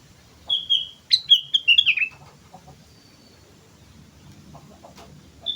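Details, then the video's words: Sooty-headed bulbul lure song: a sweet whistled phrase of slurred liquid notes, a sharp upward note followed by a quick descending cascade, then a quiet pause with faint distant chirps and a last short note. "pancingan suara burung kutilang gacor"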